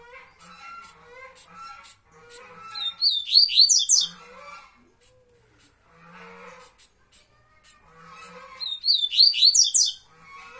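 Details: Double-collared seedeater, known as coleiro baiano, singing in the tuituí style: two loud bursts of rapid high slurred whistles about six seconds apart, over softer, lower chattering and twittering throughout.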